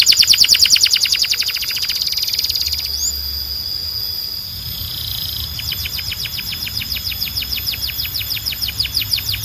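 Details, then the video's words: Belgian canary singing to call other canaries to sing: rapid, evenly pulsed high trills, then a sustained pure whistled note with a short upward slur, followed by another fast rolling trill; faint low hum underneath. "Belgian Canary Calls All The Canaries to Sing"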